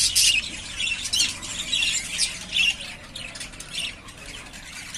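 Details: Three pairs of caged yellowface spangle budgerigars, ready to breed, give steady squawky, scratchy chatter with overlapping high chirps that rise and fall in loudness. A low background hum runs throughout.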